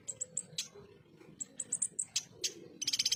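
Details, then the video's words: Ruby-cheeked sunbird (konin) giving thin, very high whistles and sharp separate chips. The phrase ends in a short fast trill. Recorded as 'tembakan' tutor material for competition birds. "FULL TEMBAKAN KASAR, SUARA JERNIH BURUNG KONIN ASLI"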